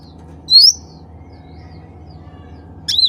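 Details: Bulbul known locally as cucak ranting, calling to others of its kind: two sharp rising chirps, the first near the start and the second at the end, over a steady low electrical hum.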